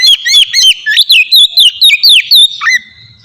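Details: Oriental magpie-robin ngeplong song serving as a lure for young magpie-robins; evenly spaced loud whistled notes with sharp downward slurs, about four per second, ending in a dipping whistle and fade.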